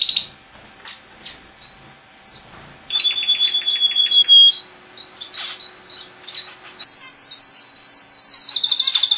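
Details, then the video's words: Pet male canary singing a varied phrase: scattered sharp chirps and short notes, a fast descending trill in the middle, more separate chirps, then a loud, very fast, high-pitched trill that carries to the end. "Canary Singing"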